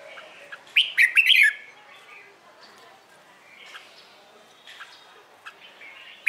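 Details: Red-whiskered bulbul morning competition song for training birds: one fast, bubbling warbled phrase early on, then scattered faint chirps, ending with the start of another bright phrase.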